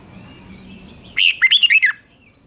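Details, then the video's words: Caged red-whiskered bulbul, Thai doubled song for teaching chicks: one tight phrase of about six fast, bright whistled notes with swooping slurs, preceded by a faint steady tone and low hum. "นกกรงหัวจุกเบิ้ล 1000000% สอนลูกนก ก็อปติดง่าย"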